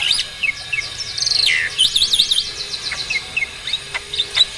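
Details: Mature male Asian pied starling, ready for mating, in full pumping song; quick sequence of rising-falling whistles and dense chattering trills, with scattered sharp clicks around them.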